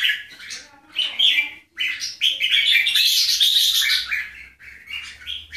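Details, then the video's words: Bulbul in display, from a comparison of the Keke and Golden Voice styles: loud, rich warbled phrases of quick chirps and slurred whistles, rising into a dense bright burst midway, with short pauses between phrases. "Display Keke jambul vs Golden Voice jambul"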